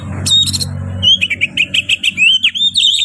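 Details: Singing Oriental magpie-robin: a bright high note, then a fast sequence of clear whistles and sharp slurred notes, rising and falling in pitch, above a faint low hum.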